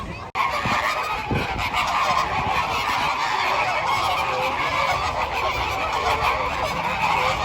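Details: Flamingos in a flock giving a dense, continuous chorus of nasal, honking calls, with people talking nearby.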